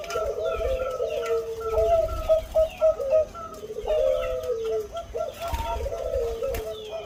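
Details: Zebra dove of the Bangkok type, noted for a large voice, repeating bubbling cooing phrases: quick rolled notes leading into drawn-out descending coos, several phrases in succession with low-pitched room rumble underneath.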